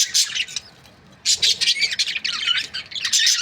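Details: Breeding-pair budgerigars give a quick burst of high, rasping chirps, go quiet for about a second, then break into dense warbled chatter.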